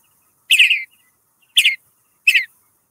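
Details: Western bluebird in the oak woodland of Calero County Park giving three short, chattering high calls, each about a quarter second long and roughly a second apart, against a quiet background.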